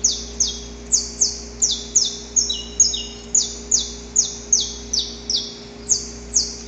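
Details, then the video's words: A Saffron finch, recorded in the wild, sings a quick series of high, sharply falling chirps, roughly two or three a second, some overlapping, over a low steady hum. "Canto Para Esquentar o Canário da Terra"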